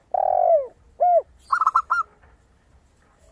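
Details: Zebra dove singing with a crystal voice. A brief burst of four or five quick, high notes follows a long, low, falling coo and a shorter coo from a spotted dove.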